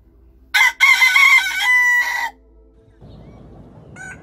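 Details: Big rooster giving one loud crow: a brief opening note, a short break, then a sustained strained cry that ends in a drawn-out final syllable. Faint rustling follows.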